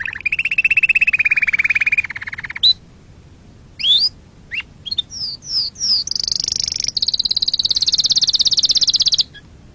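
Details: Canary song used to teach young canaries: a lower buzzy trill, a pause, a series of quick upward and downward slurred notes, then a long high rolling trill.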